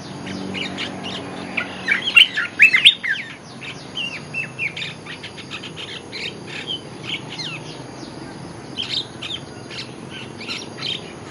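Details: Olive-winged bulbul lure song: a loud opening burst of bright chattering notes trails into a long run of softer, scattered chirps over steady background hiss.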